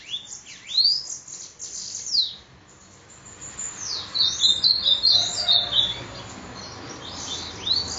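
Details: Bananaquit (sibite) recorded in Parnamirim, Rio Grande do Norte, giving loud, steep high swoops, then a fast, jittery string of tiny high notes in the middle, closing with another upward sweep.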